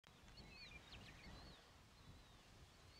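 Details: A Western Meadowlark (Sturnella neglecta) sings in response to other meadowlarks: thin, high, flute-like whistles, some sliding downward, faint over a steady low rumble of wind.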